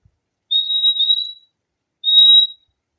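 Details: A fim-fim sings two clear, high whistles. The first is long and steady, and the second is a shorter level note after a brief pause. The background is quiet.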